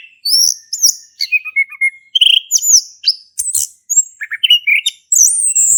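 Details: Male orange-headed thrush in full ngeplong song, played to coax a thrush that has gone quiet: quick run of bright, high whistles and slurred notes, some falling, others rising, packed closely with short gaps.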